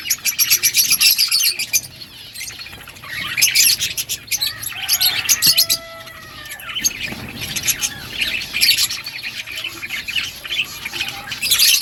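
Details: Several budgies feeding on green food give rapid high twittering chirps in waves, with a few lower, drawn-out warbled notes in the middle.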